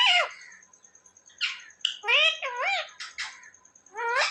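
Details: Pet parrot in a small indoor room, described as a talker that says mummy and papa; short harmonic, wavering speech-like phrases with rising and falling bends, separated by brief quiet gaps, plus a faint steady high tone.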